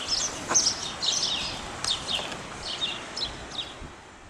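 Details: Spotless starling (Sturnus unicolor), song.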